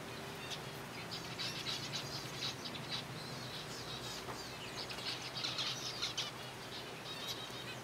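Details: A captive colony of zebra finches being fed softfood gives a busy chatter of short, nasal, high chirps and beeps, overlapping throughout, with wing flutters and a low steady hum behind.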